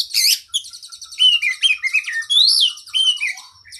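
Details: Oriental magpie-robin singing loudly in a training song for caged birds with long fill-in phrases. It opens with a sharp burst, then rapid trilled notes run under clear whistled slurs that rise and fall.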